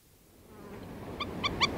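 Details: A Black-necked stilt in a feeding flock, recorded close up, gives three sharp, nasal yips in quick succession, each a little louder, over a soft hiss of background noise.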